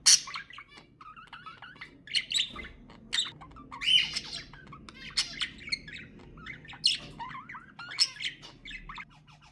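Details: Captive budgies warbling nonstop, mixing rising and falling twitters, clicks and short rasping squawks in an irregular, chattering stream.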